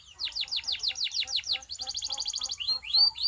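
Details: Canary song offered for training quiet canaries: about eight quick, high, downward-sweeping notes in fast succession, then a dense buzzy trill held for nearly a second, ending with a few rising slurred whistles.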